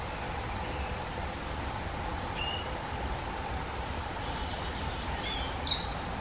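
Common Firecrest giving very high, thin, sharp 'zit' notes in scattered short bursts, over a steady low rumble of distant traffic or wind.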